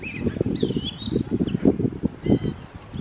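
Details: Oriental magpie-robin giving long, clear whistled notes that sweep upward and waver, followed by short chirps, against a steady low rustling or fluttering sound.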